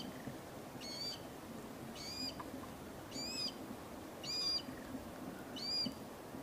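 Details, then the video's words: Glossy black cockatoo from the Pilliga scrub population in central New South Wales, Australia, a large native forest where family groups range widely by day. Five short, faint harmonic calls sound about every 1.2 seconds over a steady low background rumble. "Glossy Black Cockatoo"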